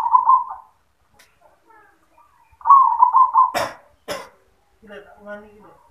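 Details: Zebra dove in yoman song style giving two trilled, rolling coo phrases, with two loud sharp knocks and a brief human voice afterwards.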